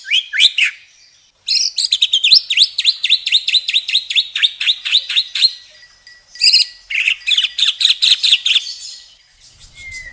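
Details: White-rumped shama belting out rich fill-in song in long bursts: a couple of sharp opening notes, then a rapid, even series of downward-sweeping high chips lasting several seconds, a short break and another fast chattering run.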